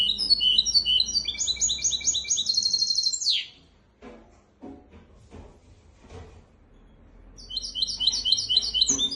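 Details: Goldfinch x canary hybrid singing a tutor song meant to teach goldfinches and canaries: high, rapid twittering trills and fast repeated notes for about three seconds, a pause with soft knocks and rustling, then the bright trilling resumes.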